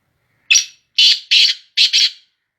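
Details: Black francolin of a Sindhi strain calling: one harsh, rasping note, then two quick pairs of grating, buzzy notes, all within about two seconds, loud against a quiet background.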